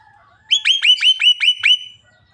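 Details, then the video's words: Javan myna, a caged bird said to talk until it coughs; after a soft low whistle comes a quick series of seven bright, sharply hooked whistled notes at a steady rapid pace. "burung jalak kebo ngomong sampai batuk"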